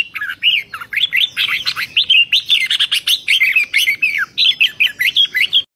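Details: Red-whiskered bulbul singing lively and energetically in 2023, pouring out a fast, unbroken run of rich, bubbling whistled notes, several each second, mid-to-high pitched, with little else audible.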